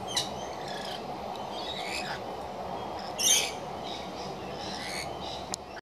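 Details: Feeding rainbow lorikeets give scattered high, harsh chirps and squeaks, then a loud rasping screech near the middle, over a constant low background hum.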